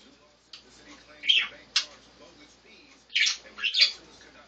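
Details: Three pet budgerigars eating and playing atop a cage on 5 May 2015 give bursts of harsh, high chirps and squawks, with pauses between them.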